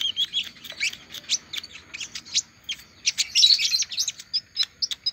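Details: Post-moult olive-backed sunbird still in song: rapid, very high chirping notes, swelling into a dense twittering flurry toward the middle before returning to separate piercing ticks.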